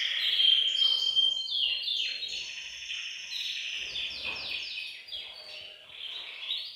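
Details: Canaries singing as a chorus in a bird room to prompt males into song; a clear whistled note opens, then rapid repeated trills and sliding phrases from several birds, fading slightly toward the end.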